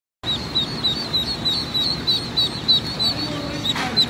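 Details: Rouen ducklings at a hatchery giving thin, high peeps, evenly spaced about three per second, over a steady low rumble of background noise, with one brief louder crackle near the end.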